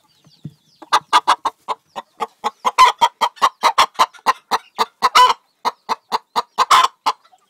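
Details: A Faverolles-cross hen, around egg-laying, clucks in a fast, steady run of short, hoarse notes, about four a second, with a few louder, drawn-out squawks mixed in.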